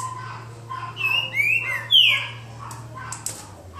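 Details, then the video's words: Boca mole green-winged saltator dueling in João Monlevade: a few rich whistled notes, one level then a falling slur and a bright rising-falling whistle, over a steady low hum and soft chatter. "Trinca ferro boca mole disputa"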